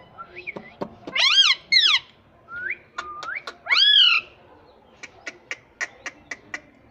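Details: Talking pet ringneck parrot that says "Mummy": three loud, arching, harmonic bursts and short whistles, followed by a regular series of sharp tapping clicks.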